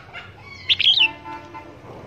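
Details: Red-whiskered bulbul kept as a decoy bird for trapping, from Long Thanh: a quick bright phrase of several warbled, slurred notes with a falling ending, followed by a faint lower note.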